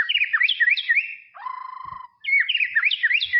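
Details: White-rumped shama in tropical forest, loud looping whistled phrases that rise and fall, broken by a short steady buzzy tone before the looping song resumes.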